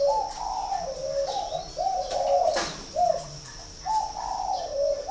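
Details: Spotted dove kept at a bird farm in Ba Vì, Hanoi, giving linked mellow coo phrases with a slight upward lilt, broken midway by a sharp click, above a steady faint high whine.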